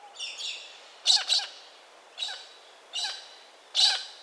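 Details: Pink and grey galah in Western Australia uttering a series of short, harsh, high screeching notes, one quick double note followed by single screeches about every three-quarters of a second.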